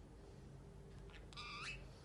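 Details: A pet Pacific parrotlet (Forpus coelestis), trained to say "give me kiss", "picaboo" and "tickle tickle", gives one short, bright, rising squeaky utterance, voicing a phrase in its small, reedy voice over quiet room hum.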